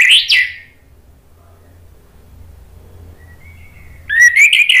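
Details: Orange-headed thrush (anis merah) song played as a lure so birds reply: a short, loud rising-falling whistle opens, then near silence with a thin faint tone, before a bright whistled phrase bursts out at the close.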